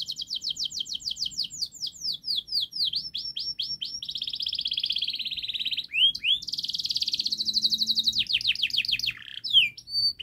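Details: Canary singing a long, fast, tightly packed tutor song used to prompt young canaries to sing sooner. Rapid high trills of repeated notes that sweep downward change into a buzzy sustained roll, then bright rising and falling note series.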